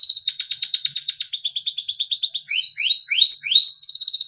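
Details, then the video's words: Timbrado canary, a small yellow bird, singing a melodic training song: rapid repeated high trills, then a buzzy steady phrase and a series of rising slurred whistles, ending in another fast trill. "Timbrado canary singing beautiful melodic songs for training"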